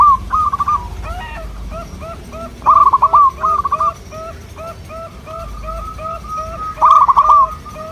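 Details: Several local zebra doves answering one another in a lively chorus. Short stuttered coo phrases overlap with fast strings of lower clipped coos, and louder rolling phrases burst in twice.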